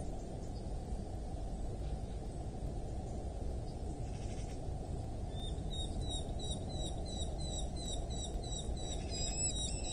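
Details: Eurasian hobby calling at a wild nest in rural Dorset, England, on the morning of 8 July 2024, recorded by a nest camera: a quick, high series of sharp repeated notes starts midway over steady low background roar.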